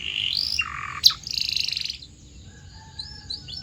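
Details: Canary song for training canaries to sing: a rising whistle, a lower buzzy note, a sharp click, a rolling buzz, then faint short chirps.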